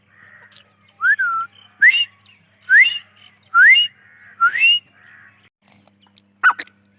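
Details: Grey francolin, known locally as dahkni teetar, gives clear whistled notes that swing upward. Five similar phrases come at intervals of roughly a second, with a low steady hum in the background.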